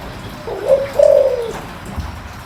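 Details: Spotted dove, deep-voiced, cooing to lure wild doves. A single phrase: a soft short note, then a longer, level, mellow hoot lasting about half a second before fading.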